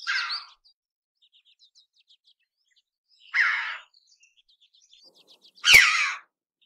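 A red-billed chough gives three harsh, ringing calls a few seconds apart, with faint high twittering in between.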